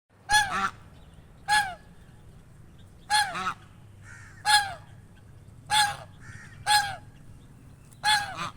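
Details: One of a pair of swans resting in shade under a bush on a sunny day gives seven loud, nasal honks, each about half a second long and spaced roughly 1–1.5 seconds apart, over a low background hum.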